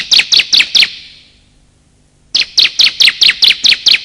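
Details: Lure recording of bar-winged prinia, male and female: four sharp, high chirps in quick succession, a short silence, then a longer even run of similar piercing chirps.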